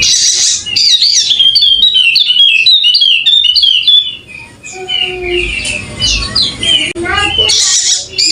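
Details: Sumbawa-endemic golden-headed Wallacean white-eye singing hard with open beak: a quick string of high sweet notes dipping and rising, a short pause, then more varied twittering, with harsh hiss bursts at both ends.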